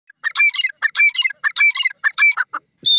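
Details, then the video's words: Sindhi dakhni teetar, a francolin, calling: loud harsh grating phrases of several buzzy notes repeated in quick bursts about every half second, ending with shorter separate notes, with no other sounds. "sindhi dakhni teetar bird ki awaaz"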